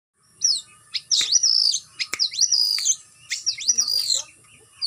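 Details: Captive white-rumped shama (murai batu) at a bird farm, kept on routine flight-cage exercise to build stamina, sings loud high whistled phrases with sharp upslurs and downslurs in bursts about a second apart, with brief pauses between phrases.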